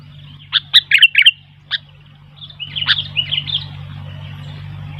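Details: Wild bulbuls answering a singing sooty-headed bulbul: a sharp burst of five chirps, a single note, then softer overlapping warbles from another bird over a steady low hum.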